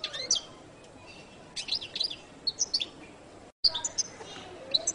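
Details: Jilguero latino goldfinch song, second part: scattered high, thin chirps and short twittered notes in brief bursts, with a momentary dropout near the end before the twittering resumes.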